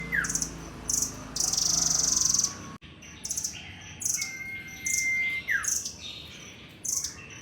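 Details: Caged nuthatch singing steadily after being fed, giving rapid bursts of very high thin chirps, a level whistle that bends sharply downward, and scratchy twittering, with a faint low hum underneath.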